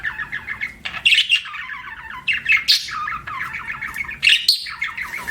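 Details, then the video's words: Pet budgerigar producing repeated rolling warble phrases that descend in pitch, punctuated by high sharp chirps every second or so. "BUDGIE CHIRPING SOUNDS"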